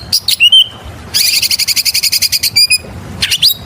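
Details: Lure song of an oriental magpie-robin in full voice: a few whistled notes, then a long fast series of evenly repeated chattering notes, ending in high squeaky calls and a rising whistle.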